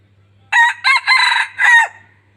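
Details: Red junglefowl decoy bird from Laos, used to lure other junglefowl, gives one loud crow in four hoarse, harsh bursts over about a second and a half, the final part trailing downward, against otherwise quiet surroundings.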